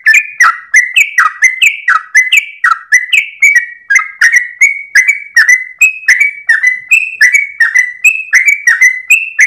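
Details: Yellow-vented bulbul known locally as trucukan, tail-wagging while singing a long 'ropel' at daybreak: rapid chattering whistles, rising and falling note to note in a continuous, energetic sequence.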